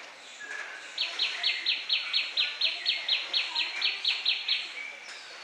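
A tailorbird gives a loud, fast run of about seventeen sharp, high, chipping notes in under four seconds. Faint notes from other birds sound in the background.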